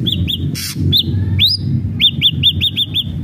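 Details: Ashy drongo song for stimulating a captive bird: a couple of arched whistles, a noisy burst, one long rising whistle, then a fast run of six identical arched notes, with low hum beneath.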